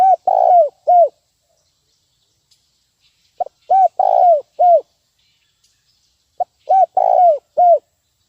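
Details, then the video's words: Spotted dove lure call, 'nguku' style, used to train birds: low hollow cooing phrases of a short note, two rounded coos and a longer rolling coo, repeated about every three seconds in quiet surroundings. "suara pikat terkukur nguku untuk ajar bb"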